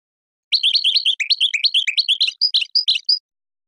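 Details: Singing European goldfinch, played to train birds and stimulate breeding pairs to mate: after a short silence, rapid bubbling twitter of rising and falling notes, finishing with a few separate bright, high whistles.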